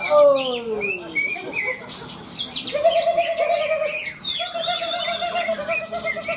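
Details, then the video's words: Greater green leafbirds at a songbird contest beside the Siring Seluwing field in Malinau, North Kalimantan, Indonesia; busy overlapping whistles, chirps and quick trills from several birds, with people talking nearby. "Lomba burung Cucak ijo"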